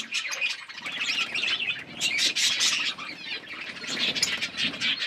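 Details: Parrots chirping as they eat: a steady wash of overlapping shrill tweets and scratchy notes, rising and falling in loudness.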